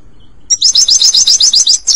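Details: European goldfinch song used to train a pet bird, a fast, even chain of high, bright twitters, around nine notes a second, beginning after a half-second hush and carrying on at full strength.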